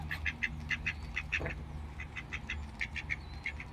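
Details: Ducks being fed give a steady stream of short, nasal quacks, often several in quick succession, continuing throughout over a low background rumble.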